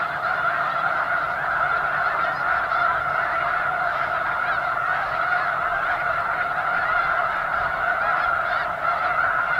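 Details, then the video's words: Snow geese in a flock of many thousands at McNary National Wildlife Refuge, Washington, heard from close range: a dense, even clamour of high nasal honks running continuously for nearly ten seconds. "Thousands of Snow Geese at McNary National Wildlife Refuge"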